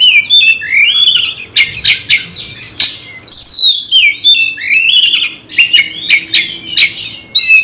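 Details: Magpie-robin delivering an aggressive, rival-provoking song: busy sequence of whistled slurs, scratchy notes and sharp chips, loud bursts with very short breaks.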